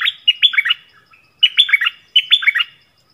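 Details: Yellow-vented bulbul recorded as a decoy song for luring wild birds, dated 20 March 2021: three short bubbly, gurgling phrases of quick rising and falling notes, each about half a second long, separated by brief pauses.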